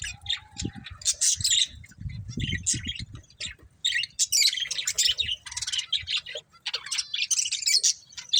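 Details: Budgie breeding pair chirping: a short whistled note, then lively rapid chatter of buzzy and squeaky high notes in quick bursts, with low knocking or rustling sounds beneath.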